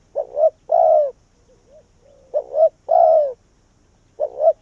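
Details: Calling decoy spotted dove attracting wild doves: deep mellow phrases of a short two-note coo and a long, falling croo, with quiet soft coos between phrases.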